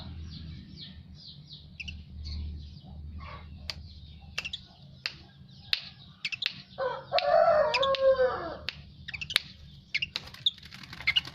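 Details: Asian pied starling singing after bathing: a run of dry clicks and short chattering notes, then a rich, harsh warbled phrase with layered tones in the second half, with more sharp clicks after it over a steady low hum.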